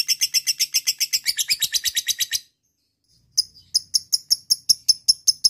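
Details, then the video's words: Lovebird ngekek chatter, a call to a rival played as a lure: rapid harsh high chirps for over two seconds, a second of silence, then the rapid chirping resumes, slightly thinner. "lovebird akan kepancing ngekek panjang"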